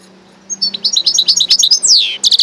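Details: Goldfinch and canary hybrid mule in song, with quick twittering high notes gliding up and down, a sweeping downward whistle, then a new burst of rapid chirps over a faint low hum.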